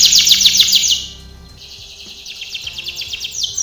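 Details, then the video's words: Canary training song with a fast, bright trill of repeated notes, a softer stretch, then a second, quieter run of rapid repeated notes building toward the end. "canary singing / canto Canario cantando | canary training song"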